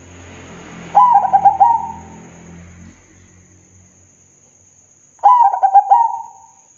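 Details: Zebra dove (perkutut) delivering two song phrases of fast stuttered coos ending in a drawn-out level note, over a low droning hum in the first seconds.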